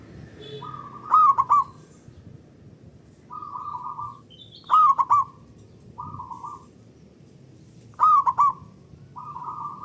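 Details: Local zebra dove with a loud, long voice, used as a lure to set other doves singing: a rapid stuttered triple coo followed by a short rolling coo, the phrase repeated about every three and a half seconds over quiet background.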